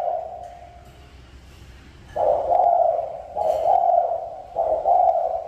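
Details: Spotted dove song: a soft trailing coo fades out, then after a short pause three loud, husky low coos follow at roughly one-second intervals. The background is quiet apart from a faint low rumble.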